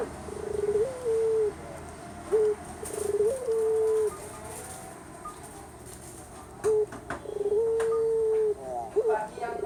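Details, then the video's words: A collared dove (puter), a Javanese bird, gives low, steady coos, each held about half a second to a second, in uneven rounds, with faint clicks and background murmur. "The bird call Puter"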